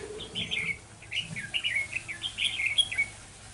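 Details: Decoy red-whiskered bulbul at a trapping site, 11 November 2018, singing a steady run of short chirpy, slurred notes, bubbling up and down, with a low murmur of people in the background.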